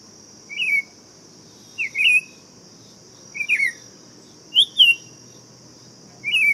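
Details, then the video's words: Buff-throated saltator song: five sweet whistled phrases spaced irregularly, some doubled and wavering, over a continuous shrill background hum. "Canto do Tempera Viola Saltator Maximus"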